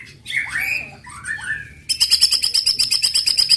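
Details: White-rumped shama giving a 'tembakan' (shooting) song meant to provoke other shamas into singing: a few rich whistled, downward-slurred notes, then a rapid, harsh, high-pitched rattling burst repeated about three times a second.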